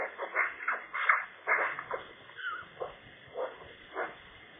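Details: Soft warbling song from a Eurasian magpie sheltering under a roof in bad weather near its nest in February: busy scratchy chatter, a short twisting whistle, then evenly spaced raspy notes about twice a second.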